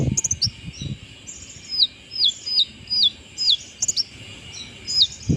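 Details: Brown-throated sunbird in full song after its moult: high, thin, downslurred whistles repeated about twice a second, mixed with quick squeaky chips, over faint low background noise.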